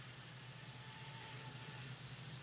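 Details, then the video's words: Male Clay-colored Sparrow singing at Kellys Slough NWR, North Dakota, 14 May 2010: four flat, insect-like buzzes, each about half a second long, evenly spaced, over a low steady background hum. "Clay-colored Sparrow (Emberizidae: Spizella pallida) Male Singing"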